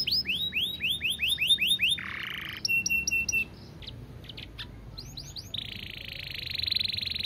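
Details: Canary song in clear phrases: repeated high arching notes, a lower buzzy roll, sharp clipped chips, a short pause with soft clicks, then rising swoops leading into a long high rattling trill.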